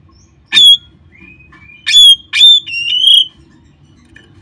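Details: Oriental magpie-robin (kacer), a caged bird, in a recording used to stimulate caged birds to sing: sharp whistled notes near the top of the range, a few loud bursts with thin sliding whistles between, over a faint low hum.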